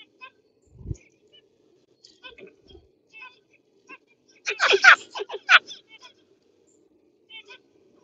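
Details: Zebra finches (Taeniopygia guttata) give short nasal beeping calls, with a brief burst of louder, harsher notes near the middle and quieter chirps before and after.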